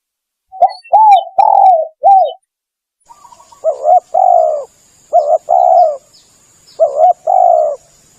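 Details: Spotted dove call used as a lure for birds: a run of soft rounded coos, then three further coo phrases of two or three notes each, with a faint steady high whine running behind the second half.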